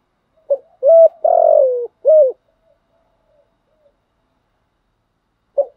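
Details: Spotted dove coo meant to excite wild doves and train decoys: one full phrase of a short note, a level coo, a long rough downward coo and an end note, followed by silence and the start of the next phrase.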